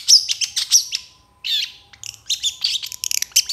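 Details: Varied long-tailed shrike song kept as a tutor recording for other birds, a mix of harsh rasping bursts, a brief pause, then fast high twittering and thin whistled notes.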